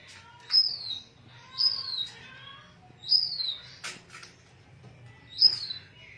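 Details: Bengalese finch giving quiet, thin, high chirps that slide slightly downward, repeated roughly once a second with short gaps, plus a faint low hum and one brief rustling burst.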